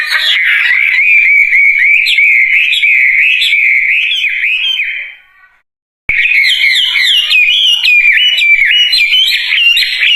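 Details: Wambie bird delivering energetic gacor song, a rapid chain of high zigzagging whistles and trills that stops for about a second of silence, then resumes at the same fast pace.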